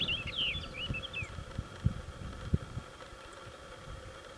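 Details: Garden warbler (Sylvia borin) at Dourgne, France, on 13 July 2015, giving a quick burst of sweet, fluty warbled notes for just over a second, followed by low thumps and rumbling background noise.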